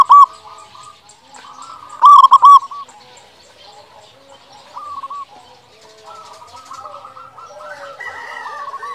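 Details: Local zebra dove song used as a lure to prompt silent doves to sing: two loud bursts of rolling, stuttered coo notes near the start and around two seconds, then many fainter doves cooing and overlapping.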